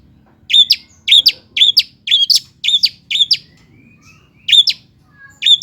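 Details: Cendet (long-tailed shrike) lure song for silent birds: a series of sharp, squeaky two-part high notes repeated about twice a second, a short pause, then two more.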